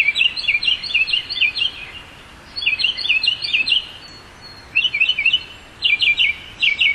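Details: Northern mockingbird singing in bursts of rapidly repeated, high chirpy notes, each phrase type repeated several times before switching, separated by short pauses, over a steady background hiss of outdoor noise.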